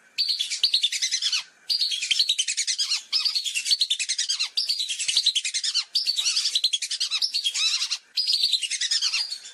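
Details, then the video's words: Long series of lesser whistling duck whistles for a hunting lure: six bursts of rapid, shrill, stuttering notes, each about 1.3 seconds, repeated with short pauses. "Suara Pikat Burung Belibis"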